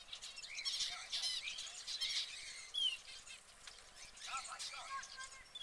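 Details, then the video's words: Caged canary among other exotic birds, giving dense, high twittering song with rapid chirps, curving whistled notes and short trills that come in busy bursts, with several birds calling at once. "Exotic Birds Singing in Cage - Canary - Bird Song"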